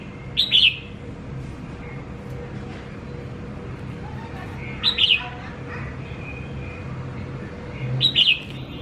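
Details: Tamed red-whiskered bulbul, singing and used to people after a week in captivity, gives short bright whistled phrases about every four seconds over a steady background hum.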